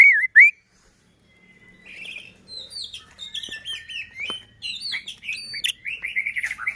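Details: Song of a white-rumped shama used to make other shamas sing and grow agitated: two loud looping whistles, a pause, then a fast varied stream of chirps and whistled phrases.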